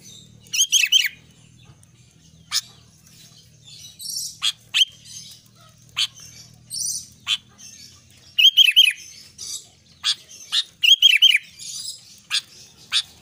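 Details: Albino sooty-headed bulbul singing repeatedly: several bursts of three or four bubbly, descending whistled notes, interspersed with sharp clicks and soft chatter, with a low hum in the first part.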